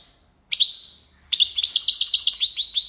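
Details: European goldfinch singing tiwawati in Algiers: one ringing, falling whistle, then a dense stream of fast, clear, bubbling twittering notes.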